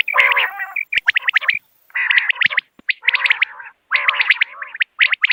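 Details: Bursts of common quail calling: rough, nasal, buzzy phrases mixed with quick bright clipped notes, separated by short silences about every second.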